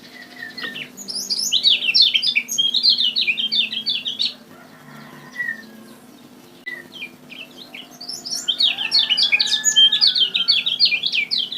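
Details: Kecial kuning (Lemon-bellied White-eye) from Lombok, lure bird song: two long bursts of rapid, high, jumbled chirping and twittering, separated by a pause with a few thin whistled slurs, over a constant low background hum.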